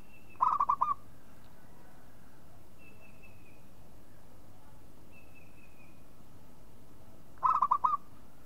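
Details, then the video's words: Local zebra dove calling as a lure: a brief burst of clipped rolling coos, a long pause broken by faint thin whistles, then a second matching burst near the end. "SUARA MEMANGG PERKUTUT LOKAL"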